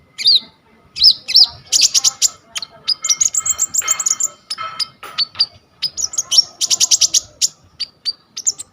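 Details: Olive-backed sunbird (kolibri ninja) in full, busy song, recorded on a vivo Y21 phone as a tutor recording for training kolibri ninja birds: rapid high-pitched chirps, sharp ticks and thin trills in dense bursts with short pauses.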